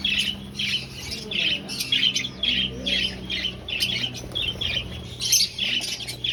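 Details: Finches in an aviary colony during breeding, searching for a nest, calling in short squeaky chirps about every half second, several birds overlapping, with a faint low hum behind.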